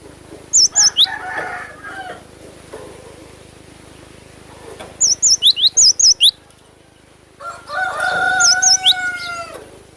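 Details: Lively Cinereous tit song: three bursts of shrill, high, chevron-shaped notes in fast series. A long, lower, harmonic drawn-out call overlaps the last burst.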